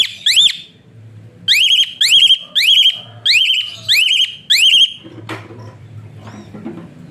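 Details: Asian pied starling giving a whistle-like song used as a tutor recording to make lazy birds sing: loud rising-then-level whistles, about seven in quick succession with short gaps, then faint background rustling.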